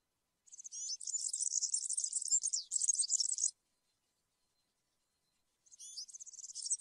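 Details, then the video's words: European serin in campero song, a quieter, rapid, wiry, jingling stream of very high notes running about three seconds, then silence, then another burst starting up. "𝗩𝗘𝗥𝗗𝗘𝗖𝗜𝗟𝗟𝗢 𝗖𝗔𝗡𝗧𝗔𝗡𝗗𝗢 𝗖𝗔𝗠𝗣𝗘𝗥𝗢"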